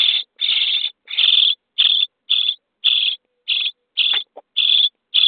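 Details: Common starling nestlings in a nest box on day 23, begging while being fed, with harsh, raspy, hissing bursts, about two a second, loud and insistent with brief gaps between them.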